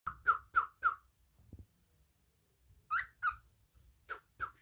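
A cockatiel gives short, bright whistled chirps near the same pitch, repeated quickly in little groups.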